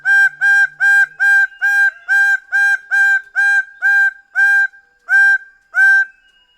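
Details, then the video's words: Greater bird-of-paradise delivering a long rapid series of about twelve loud, harsh, honking notes, evenly spaced at first, then slowing toward the end. "Greater bird of paradise sound"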